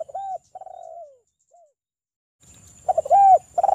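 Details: Spotted dove song, a lure to make other doves sing: a rounded coo and a long falling coo, a faint short note, a pause, then a louder phrase of stuttered notes and a rising-falling coo.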